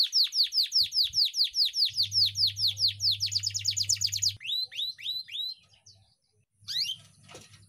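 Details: Training song of a canary singing a long 'ngeroll' style phrase, meant to coax lazy or silent young canaries to sing: a steady run of sharp, descending whistled notes, then a dense rattling trill and a few looping slurs, over a faint low hum.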